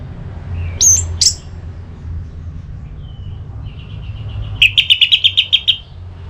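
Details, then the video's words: Orange-headed thrush ngeplong song for rousing another bird to sing: two high squeaky notes, soft quiet notes, then a fast even trill of about ten chips near the end, with low background rumble. "ANIS MERAH LOYO Bakal SONTAK NYAUT GACOR dan EMOSI dengar Kicauan Ngeplong ini"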